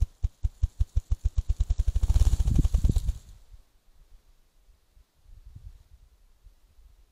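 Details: Rhythmic low engine pulses speed up and grow louder for about three seconds, then fade to a quiet, uneven rumble with a brief later swell; no animal voice is heard.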